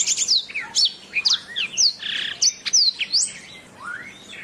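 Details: Canary master song for training other birds: a rapid, varied run of high whistled sweeps and chirps, many slurring down from very high notes, in quick bursts with brief gaps.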